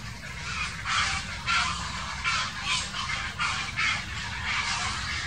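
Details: Grey herons squabbling, 2018. Loud, rough, croaking squawks repeat roughly every half second to second in uneven bursts, the clearest of the recording, with a low steady rumble beneath.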